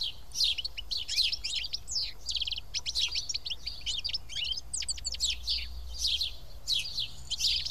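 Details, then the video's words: In Karyotissa, Greece, sparrows sitting and eating as a group give a lively stream of quick chirps and trills, many birds calling at once with brief lulls. "Σπουργίτια (ήχος και εικόνα)"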